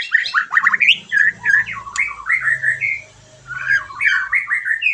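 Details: White-rumped shama (murai batu) song, played to prompt a bird just out of moult to answer and to raise its drive: loud, varied whistled phrases sliding up and down quickly in rapid bursts, a brief pause midway, then more fast warbling.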